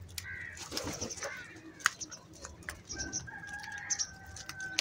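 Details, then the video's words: Crows calling in the morning, gathering and fighting over food: a burst of harsh, stacked caws in the first second and a half, then a long drawn level tone, with scattered faint bird notes and clicks. "Crow Sounds | Crow Unity In Morning"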